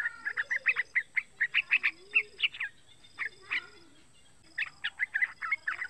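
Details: Three-month-old yellow-vented bulbul calling to draw other bulbuls into song: spaced, sharp chirps at an uneven quick pace, a pause, then a tighter cluster of notes, with faint lower whistles.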